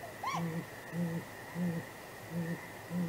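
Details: Great grey owl pair at their nest on an April 2019 night, exchanging contact hoots: one rising higher cry followed by a steady series of five deep, soft hoots about 0.65 seconds apart, with background hum.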